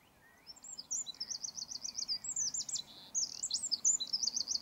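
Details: Eurasian wren giving a fast, high-pitched song of rolling trills and tumbling warbled phrases, loud and continuous, with soft background noise.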